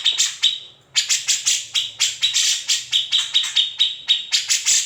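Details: Grey-cheeked bulbul song, recorded unedited as a master for tutoring white-rumped shamas and green leafbirds: rapid dry high notes repeated about four per second, a brief pause just before one second, then steady chattering pulses.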